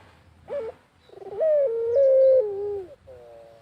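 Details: Barbary dove calling as a lure in rural Indonesia: a sharp rising note, a fast stuttered roll, then a long wavering coo that steps down and trails off into a softer falling note. Faint low rumble underneath.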